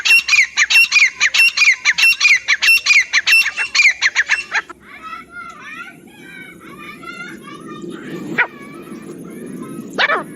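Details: Francolin calling in jungle, a hunting lure sound: a fast, steady series of harsh, ringing notes for about four seconds, followed by softer chattering from other birds and two sharp rising swishes over background noise.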